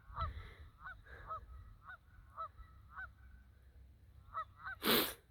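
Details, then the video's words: Two geese on the dam of a fenced-off pond beside a rain-swollen creek, on a wet morning, give short nasal honks, about ten in five seconds, some doubled, over a low rumble, ending in a brief loud burst of noise. "We've got that pond over there fenced off. You can hear the geese."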